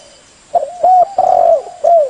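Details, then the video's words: Spotted dove (tekukur) song used for luring birds: one phrase of four mellow coos, a short note, a sliding note, a long wavering coo and a final falling coo, clean with little background. "Suara burung tekukur bersih cocok untuk pikat"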